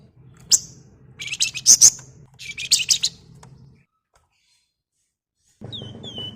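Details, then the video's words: Flamboyan, known as wergan jawa and used to draw in flocking birds: irregular bursts of high, buzzy, scratchy chattering phrases over a low hum, a silent gap, then faint high slurred whistles. "BURUNG WERGAN JAWA GACOR NGEBREN"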